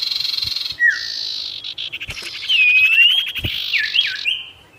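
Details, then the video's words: Lively sirtu song used to provoke wild birds: a high rapid rattle, a falling whistle, then a long mix of buzzy trill and clear wavering whistles, ending in short down-slurred notes. "SIRTU GACOR BIKIN EMOSI BURUNG LIAR | Full Variasi Alam"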